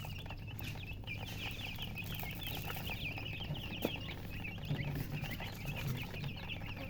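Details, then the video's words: Baby chickens just out of the egg chirp in a busy, overlapping chorus of thin high peeps, with a faint tap or knock partway through and steady low droning underneath. "Tot Murgi chicks chirping sounds Just Born Baby Gallina FRACAS Chicks Piar Loudly Sound"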